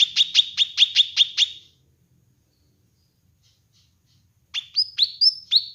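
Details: Kinoi bird song meant for training and luring birds. About seven fast, strident chirps, a long silence, then a series of rising, slurred whistles, each ending higher.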